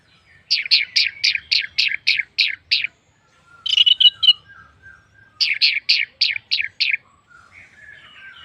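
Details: Orange-headed thrush singing as a lure to set off other birds: runs of about seven to eight sharp repeated chip notes, a brief buzzy cluster, another repeated run, and soft warbling at the end.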